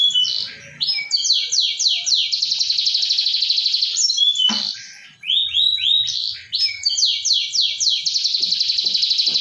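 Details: Atlantic canary used to trigger a silent canary into singing: loud, fast trilled song with rapid repeated downward-sweeping notes and buzzy rolls, broken by a short pause midway.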